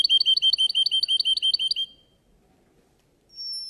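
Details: Singing contest Russian canary gives a crisp, fast trill of about a dozen paired high notes over two seconds, falls silent, then a single thin whistle starts.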